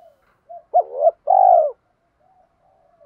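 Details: Spotted dove cooing in the styles used to train young birds and lure other doves: a soft lead-in note, then a short rising coo and a longer, loud, slightly falling coo, with faint quiet notes between.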